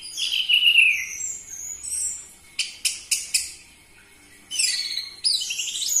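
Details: Orange-headed thrush song used to prompt captive birds to sing: a descending whistled phrase, then three sharp clicking notes about a quarter second apart, followed by fast, complex high warbling.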